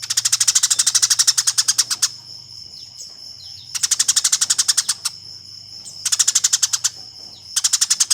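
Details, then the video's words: Combative Eurasian tree sparrow chatter, used to train contest songbirds: long runs of quick, harsh chirps up to two seconds each, broken by quiet spells, over a steady shrill tone and low hum. "Suara Burung Gereja Tarung"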